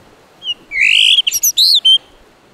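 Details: A blue rock thrush sings on a rocky seashore at Muroto, Kochi, Japan: a short, clear phrase of rich whistled notes, sliding and warbling high, over quiet background hiss.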